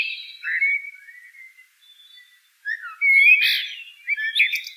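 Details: Quieter common blackbird song: a drawn-out, fading whistled phrase, then after a gap a livelier burst of fluty notes mixed with high squeaky twitters.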